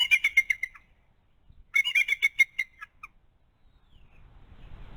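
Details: High rapid chittering from an adult female bald eagle tending a one-month-old eaglet, two bursts of repeated sharp notes, the second ending in a couple of isolated chirps, faint rustling after.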